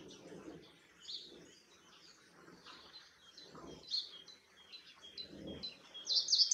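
A common chaffinch gives bright, high chirps and short rattling phrases, growing louder toward the end, over soft low rumbles of background noise.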